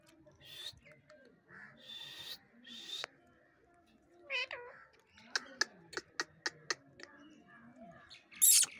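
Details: Talking pet parrot (Mithu) makes high, nasal speech-like phrases and a wavering whistle, then a quick run of sharp clicks and a final loud screech.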